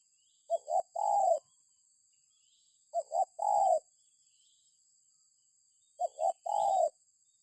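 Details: Lure recording of a spotted dove giving three soft, low coo phrases about three seconds apart, each built from two brief notes and a sustained falling coo; a faint continuous high hiss runs underneath.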